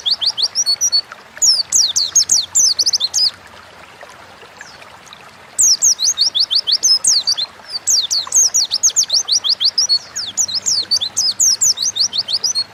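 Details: Oriental white-eye singing a gacor ngalas lure song used to stimulate other birds: a short twittering burst, a two-second quiet gap, then sustained rapid high-pitched chirping notes tumbling one after another.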